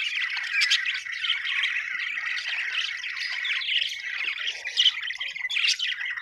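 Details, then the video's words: Budgerigars, described as happy, chirping in a dense, continuous chatter of warbling and squawky notes, with sharp chirps scattered through. "happy budgies chirping sound"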